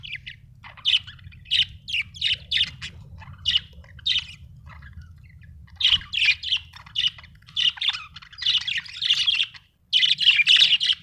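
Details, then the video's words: Budgerigar chirping: steady run of raspy, buzzy warbled notes and short chirps, repeated in close series, growing denser and louder toward the end, over faint low hum. "budgie chirping sound"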